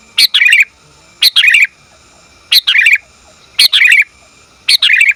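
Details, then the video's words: A female sooty-headed bulbul calls to a male, clear and close. Five calls come about once a second, each a sharp high note followed by a burbling cluster of chirps. "Suara Burung Kutilang Betina Memanggil Jantan"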